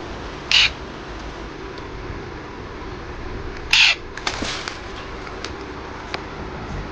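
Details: Parrot giving two loud, harsh squawks about three seconds apart, each short and raspy, with a few faint clicks after the second and steady low background hiss.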